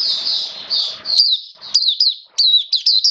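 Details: Oriental white-eye (mata puteh), a caged songbird in wet weather, 29 September 2022, moves from a soft high warble into crisp, sharply rising-and-falling chirped notes spaced roughly every half second.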